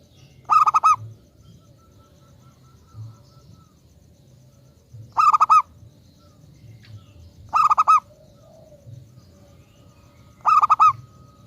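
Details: Local zebra dove singing, used as a lure for other zebra doves: four separate phrases of rapid staccato cooing notes spread across the recording at irregular gaps of two to five seconds, background otherwise quiet.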